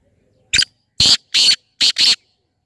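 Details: Black francolin (kala teetar) call from a mix meant to prompt a new francolin into calling: one short harsh note, then four loud, grating, buzzy notes in a rhythmic phrase lasting about two seconds, with silence around them.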